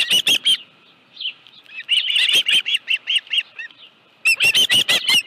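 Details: Osprey calling at its nest at Dunrovin Ranch with a live fish, late afternoon of 25 July 2018. Short bursts of shrill, piercing chirps come in three clusters, with softer whistled notes between them.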